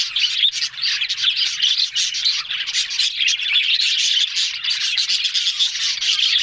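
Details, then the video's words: Several budgerigars chatter on October 1 in an even, continuous stream of squeaky warbles, clicks and quick chirps overlapping from many birds. "Beautiful Budgerigars Talking"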